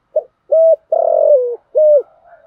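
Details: A decoy spotted dove provokes wild males with one full phrase: a clipped opening note, a steady hollow coo, a longer rasping coo that slides down, and a closing level coo.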